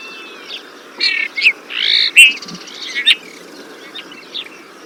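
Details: Desert Finch calling: a loose series of short chirps and buzzy, slightly rising trilled notes, with a few sharp clicks and quiet gaps, spread over about four seconds against a faint steady hiss.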